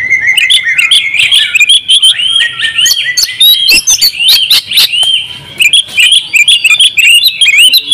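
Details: Oriental magpie-robin, a champion bird singing open-beaked in ngobra style with full fills. Its song is continuous, rich and varied, mixing warbled whistles with rapid sharp chips and trills, loud throughout with hardly a pause.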